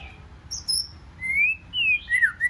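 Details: Wild-caught white-rumped shama singing in a competition-style 'forest voice' song: clear whistled notes sliding around mid pitch, a few high thin notes above, in short phrases with brief pauses, over a faint low hum.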